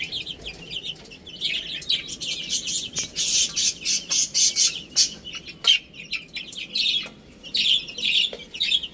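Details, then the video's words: Baby chicks at play and feeding give a loud, insistent run of high peeps, pulsing roughly twice a second through the middle stretch. Sharp pecking taps punctuate the calls. "Adorable Little Chicks Chirping Sounds"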